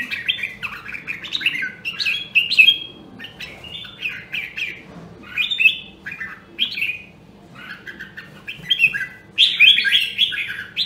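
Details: Nam Đông, Huế red-whiskered bulbul singing for voice training: a busy stream of quick, chattering, whistled notes with slurred upturns, nearly continuous, with a faint background hum.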